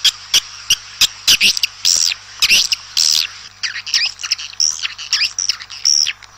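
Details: Swiftlets outdoors calling to gather the flock: isolated sharp clicks, then chirps with a bent, rising-and-falling shape, building into a run of quick twittering notes.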